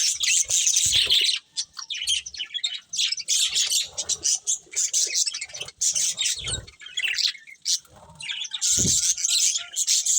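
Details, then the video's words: Budgerigars, colourful and eating, chatter in high scratchy warbles and chirps, coming in bursts of a second or two with short gaps and occasional low thumps. "Colourful Budgies Chirping Sounds | Love Birds Eating"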